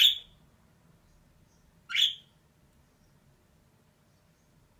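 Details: Female budgerigar uttering two loud, scratchy chirps about two seconds apart, each sharp and brief, over a faint low background hum.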